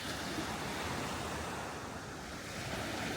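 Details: Waves and surf wash along the Malaga seafront in Spain with steady wind noise on the microphone, and no animal voices.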